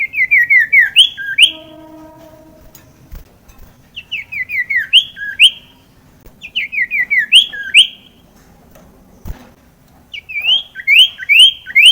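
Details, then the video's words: Iora, known in Indonesia as sirtu, singing to lure rarely singing sirtu into song: clear whistled phrases of quick descending notes, each ending in a rising whistle, repeated every few seconds. "pancingan suara sirtu JARANG BUNYI AGAR burung sirtu gacor"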